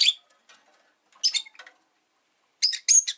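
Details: Rosy-faced lovebirds, five kept caged by a window on a quiet afternoon: a few sharp, high, harsh chirps in short bursts separated by pauses, with faint quieter twitters between.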